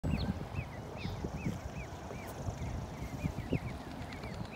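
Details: Goslings peeping steadily: thin, arched high peeps repeated several times a second, with occasional soft thumps and rustling close by.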